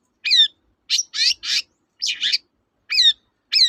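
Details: Long-tailed shrike song, local name cendet, used to coax birds that will not sing. Scratchy downslurred phrases alternate with paired harsh buzzy bursts, separated by short silences.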